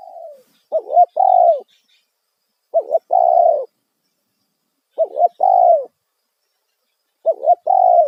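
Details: Spotted dove calling in the loud 'kuk satu' style, used as a lure to attract wild doves. Phrases repeat about every two seconds: a quick wavering double note followed by a full, slowly falling coo. The clip opens with the tail of a coo.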